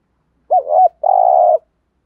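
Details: A single thúc gù phrase from a spotted dove decoy: a wavering two-part coo slurring up and down, a short pause, then a sustained rough purring note lasting about half a second, with no other sounds.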